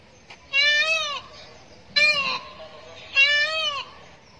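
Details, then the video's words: Peacock giving three loud, nasal, wailing calls, each rising then falling, spaced about a second and a half apart over quiet background hiss. "Peacock sound"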